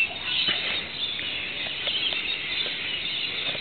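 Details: Wild Rainbow Lorikeets with other Australian birds calling as rain falls after sweltering heat, shrill squealing chatter from many birds with brief sharp notes scattered through it.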